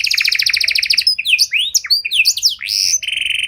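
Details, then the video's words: Panda canary with a rich cengkok song, played for baiting and training other canaries: a rapid even trill for one second, then loose swooping whistled notes and a final steady buzzy trill. "Pancingan Suara Burung Kenari Panda Cengkok Mewah! Ampuh Buat Memancing Maupun Melatih Kenari Lain"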